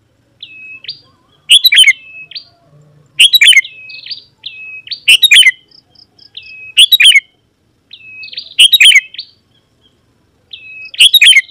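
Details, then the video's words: Sooty-headed bulbul belting out song to summon wild rivals that answer and approach. Steady whistled lead-ins with upflicks give way to loud bubbling chatter. Seven phrases roll on at a steady pace over about eleven seconds. "Suara Burung KUTILANG GACOR Memanggil Lawan Burung Kutilang Liar Auto Nyaut dan Mendekat"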